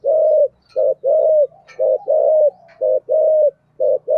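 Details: Spotted dove in 'giọng thổ' style giving low, smooth coos in a bouncing rhythm, short notes followed by longer drawn-out ones, with a faint low hum beneath.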